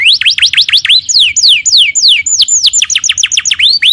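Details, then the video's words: Canary singing vigorously, mixing quick V-shaped chirps with slower drawn-out downward whistles and bursts of rapid repeated high notes, a varied bright warbling song. "Suara kenari gacor"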